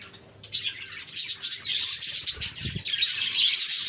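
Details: Chirping budgies from a cheerful group: a quiet start, then lively high chatter with fast repeated twitters, about four a second, and a couple of soft thumps.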